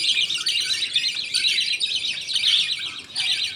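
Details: Pet budgies at feeding time, the father feeding two chicks while other colony members wait for food. Continuous, dense scratchy chattering with no real pauses, busy and buzzy.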